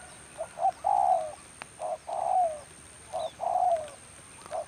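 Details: Rainy-season trapping with a spotted dove decoy: repeated phrases of short coos leading into a drawn-out falling croo, given in quick succession, about every one and a half seconds.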